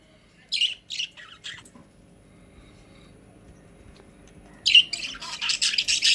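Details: Several caged budgerigars kept as pets. A few quick squeaky chirps sound, then a gap of near silence, then a louder burst of rapid, scratchy chattering builds at the end.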